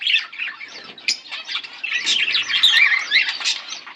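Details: Chirping from a pair of pet budgies: fast, rough, high chatter with squeaky notes, swelling into a dense louder burst of warbled calls in the second half.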